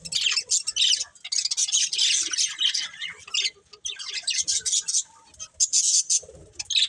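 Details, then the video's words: Breeding pair of budgerigars chirping in rapid, grating, high-pitched twitter runs with brief breaks and a few sharper clicks and squeaks. "Cute Colourful Budgies Chirping Sounds"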